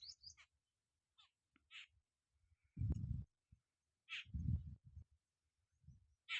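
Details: Jungle babblers eating bugs on a farm give short, harsh, scratchy squeaks in scattered bursts every second or so, over heavy low rumbling wind or handling noise.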